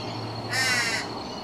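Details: Torresian crow at a residential property, where a brown-eyed juvenile and a white-eyed adult were present together; a single harsh, nasal caw lasting about half a second, rough and strongly harmonic, over a faint low background hum.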